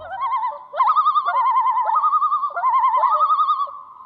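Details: A common loon gives its long, haunting wail, used to locate family members across the water, holding a mid pitch, wobbling rapidly and breaking upward every half second or so, with no other sounds.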